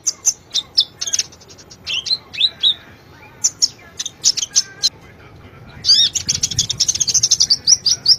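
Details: Kolibri ninja (konin) sunbird master song for training cage birds, sung actively: rapid bright high chirps and short twittering phrases in bursts, a dense fast trill of repeated high notes near the end.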